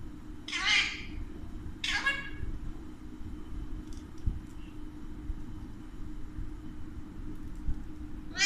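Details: Alexandrine parakeet, one of a pair of talking pet birds that speak Urdu and Hindi, gives two loud, harsh, falling squawks about a second apart, then fainter chatter, over a steady low hum.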